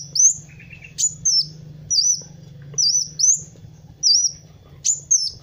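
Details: Song of a kolibri wulung, or Van Hasselt's sunbird, for tutoring other birds: high, bright, looping whistles repeated about every half second, one lower buzzy trill near the start, faint steady hum behind.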